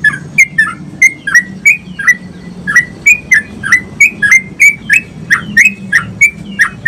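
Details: Energetic singing from a sooty-headed bulbul, meant to prompt other bulbuls into song: clear chirpy whistles repeated roughly every two-thirds of a second, each note bright and slightly dropping, over a faint low drone.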